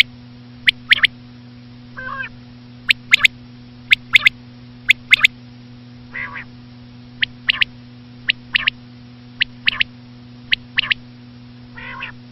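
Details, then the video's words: Batair, the common quail: sharp clicking double notes scattered irregularly, mixed with occasional softer nasal, harmonic, wavering calls, against a continuous low hum. "common quail.quail sound effect.batair ki Awaz.Звук самки перепела.صدای بلدرچین ۔.बटेर की आवाज"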